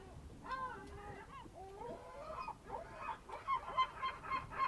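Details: Birds of the Amvrakikos National Park area, Greece, calling at a fishing harbour in early morning, 27 March 2026, 07:40. Uneven drawn-out nasal notes give way to a quicker series of sharp honking calls.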